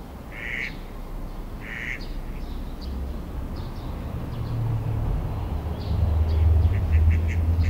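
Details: Two short, raspy quacks of an Eastern spot-billed duck open this recording from a Tokyo park canal in Sumida, May 2016, followed by scattered high sparrow chirps over a rising low rumble.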